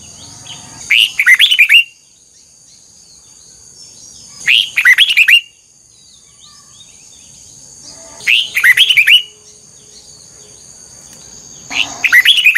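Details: Red-whiskered bulbul song played for voice training: four short, energetic warbled phrases spaced roughly every three to four seconds, each a tight cluster of clear, twisting notes over a faint constant high hum.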